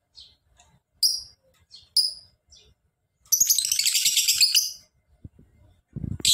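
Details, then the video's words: Lovebird singing a long ngekek: a couple of loud high chirps, then a sustained, fast, grating trill running over a second and a half, ending with a low rumbling thump. "Lovebird Gacor!!! Ngekek panjang"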